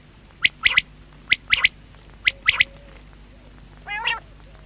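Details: Quail (batair) call repeated three times as a crisp, high whistled triplet, one note then a tight pair, followed by a single lower, rasping nasal note at the end.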